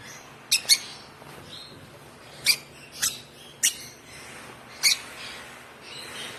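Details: Hand-fed African lovebird chick, one month old, making short, shrill squeaky chirps, singly or in quick pairs, with irregular gaps of up to two seconds; quiet room hiss between calls.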